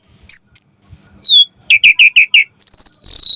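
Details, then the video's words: Short burst of Javan pied starling song, a lure for young starlings: two high whistles, a long descending slur, five evenly spaced chips, then a buzzy sustained high note. "Pancingan Jalak Suren Auto NYAUT RESPON Mompa Gacor Full Isian Buat Masteran Suara Burung Jalak Muda"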